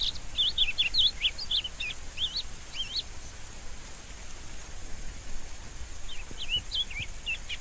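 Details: Rusty-collared seedeater opens with a quick burst of looping whistled notes, pauses for about three seconds, then resumes with more slurred, dipping whistles; background hiss throughout.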